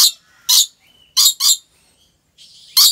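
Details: Rainbow lorikeet kept at Gurun Putih Lestari wildlife park in Aceh Besar, Aceh, Indonesia: harsh broadband screeches in short bursts, with a thin whistled tone between them and a buzzy note before the last loud screech.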